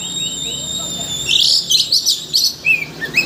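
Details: Oriental magpie-robin song used as a lure to excite a bird into singing its full repertoire of learned notes; faint high whistles give way to dense bursts of sharp, chattering high notes in quick succession.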